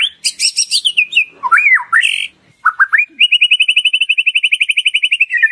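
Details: White-rumped shama (murai batu) song played as a lure to make a shama sing loudly and show its full repertoire: buzzy high notes and swooping whistles, then a long, steady, rapid trill of identical notes.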